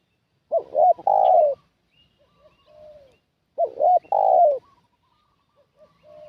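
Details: Decoy spotted dove drawing in wild doves: two loud phrases, each two short bent notes and a long slightly falling coo, separated by quiet, faint coos.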